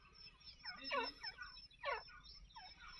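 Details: Black francolin (Sindhi Dakhni teetar) from a breeder pair gives harsh, grating notes in three rasping bursts about a second apart, loudest at the start, over a low steady background hum.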